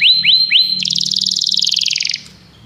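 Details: Common canary delivering three quick upward whistled slurs followed by a long, rapid, slightly falling trill of bright notes, with a low hum underneath.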